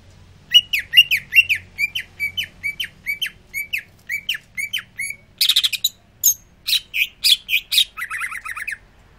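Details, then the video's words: Greater green leafbird, a kept bird cooling off after sunbathing, singing busily: quick series of sharp downslurred whistles, then a dense buzzy trill and further chattering, mixed notes over a quiet background. "Cucak ijo rajin bunyi"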